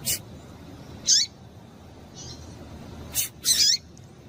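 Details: Double-collared seedeater female call, used to stir the male into song: two thin, high chirps ending in a falling tail, about two and a half seconds apart, with a few dry clicks and steady low hiss.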